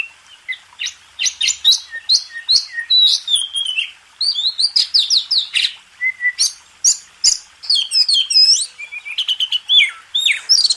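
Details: White-rumped shama (kacer) master song used to train contest birds; rapid varied phrases of whistles, sharp upswept and downslurred notes, and dense chattering bursts, nearly continuous over eleven seconds.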